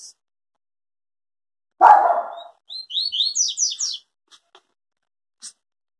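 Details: Yellow-bellied seedeater in the Tui Tui song style, described as never cracking in its song; after a short harsh, lower-pitched burst, the bird gives a quick run of high, rising slurred whistles lasting about a second.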